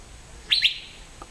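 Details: Crisp paired whistle of an Asian fairy-bluebird in Western Ghats evergreen forest, two fast upward-slurred notes merging into a held tone, with a soft low click afterwards.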